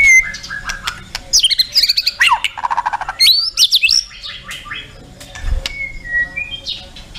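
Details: A white-rumped shama (Copsychus malabaricus), recorded as tutor song for training captive birds, pours out a rich, varied song of clear whistles, rapid trills and harsh chattering phrases, jumping sharply in pitch over about seven seconds.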